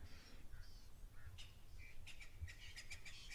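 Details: Magpie shrikes calling in the background at an African waterhole, 4 July 2025: clear, liquid whistled notes, several short calls in quick succession, faint over a steady low rumble of wind.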